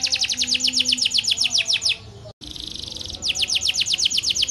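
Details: Bright, rapid canary trill with notes repeated about four times a second, interrupted midway by a buzzy hiss and a short gap, then resuming the same fast rhythm.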